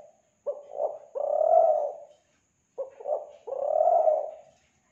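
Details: Kelantan spotted dove used as a dove lure: two clear phrases of low cooing, each a quick broken double note leading into a long rounded coo, separated by silence.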